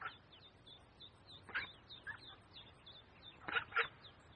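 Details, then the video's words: Duck with ducklings at a pond. Faint, scattered quacks, with a closer pair near the end. Continuous high, thin peeping runs over steady background noise. "Duck Sound duckling in the pond -duck quack"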